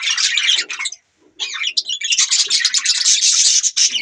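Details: Continuous budgerigar chatter of dense, scratchy, high warbling and chirps. One short pause breaks the flow near the first second, then the noisy twittering runs on without a break.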